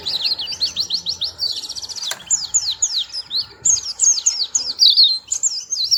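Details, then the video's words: High sweet song of a small white-eye, quick trilled runs followed by separate swooping whistled notes, with a single sharp click partway through and soft background hum. "Burung Kecil Pleci Bersuara Merdu"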